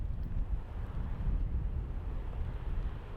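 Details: Heavy low wind buffeting against the microphone rumbles through the short stretch, with nothing else audible.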